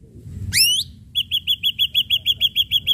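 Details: Ashy drongo song opening with a sharp upward-sweeping harmonic whistle, followed by a steady train of about twelve short, crisp whistled notes delivered quickly and evenly, over a soft low hum.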